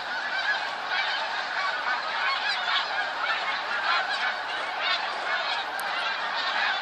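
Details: Dense honking of a huge flock of snow geese recorded 28 February 2013, an even, loud roar of many overlapping yelping calls sustained without a break.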